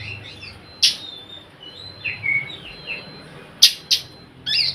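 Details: Oriental magpie-robin lure call meant to set other magpie-robins singing; sparse sharp clicks and soft wavering whistles over a noisy low hum.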